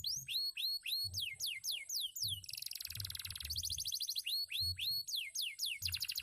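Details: Canary, once a contest bird, singing fast and continuously: repeated high downslurred whistles, then a dense buzzy trill near the middle, then back to looping swept notes, with a soft low thumping beneath.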